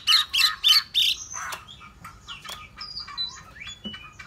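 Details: Hwamei opening with four loud, rich, repeated phrases about a quarter second apart, followed by quieter thin whistles and scattered clicks.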